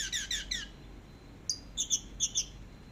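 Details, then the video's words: Short teler-style passage from an orange-headed thrush masteran: three quick descending chirps, a pause, then a run of paired high bright notes repeated at a steady pace. "Masteran BURUNG ANIS MERAH TELER DURASI PANJANG"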